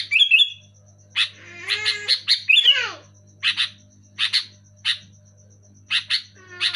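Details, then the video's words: Sooty-headed bulbul singing loudly: opening twisting whistles, a sweeping falling slur, then evenly spaced sharp chirps and pairs, with a low constant hum. "Suara burung kutilang gacor keras jelas cocok untuk merangsang burung kutilang macet malas bunyi"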